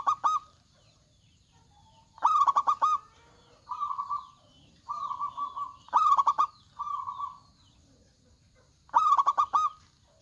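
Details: Local zebra dove (perkutut) chorus, males and females answering each other. Loud stutters of quick coos recur every three to four seconds, alternating with smoother, softer purring phrases.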